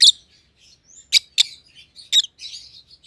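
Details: White-headed opaline rosy-faced lovebirds, pallid and green, giving a loud opening squeak, a few sharp chirps and soft warbling twitters in between.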